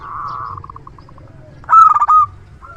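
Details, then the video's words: Local zebra dove, a frequent loud-voiced singer used as a decoy for luring: soft rolling cooing notes, then one loud, vibrant, rolled cooing phrase near the end. "Perkutut lokal gacor suara besar PIKAT ANDALAN"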